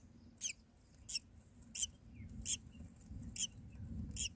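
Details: Baby mynas begging in the nest as the mother feeds them; six sharp, raspy squeaks repeat roughly every 0.7 seconds above a faint low hum.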